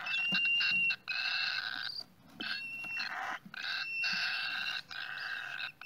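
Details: At a cockatiel nest, loud grating calls come in bursts of about one second separated by quick pauses, with a faint steady whistle inside each burst.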